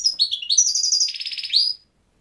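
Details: Goldfinch song: a fast, liquid twittering phrase of high chirps and trills sliding up and down, ending in a buzzy, rasping stretch before falling silent.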